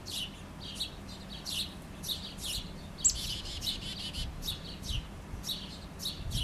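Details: A chickadee visiting a yard to collect food gives a run of high, harsh, buzzy dee notes, about two per second, over a low steady background hum.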